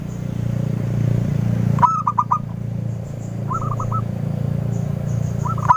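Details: Local zebra dove, used as a lure to prompt answering birds, giving clear bursts of four or five quick, mellow cooing notes, three phrases spaced apart, over a steady low rumbling engine-like hum and faint high whistles.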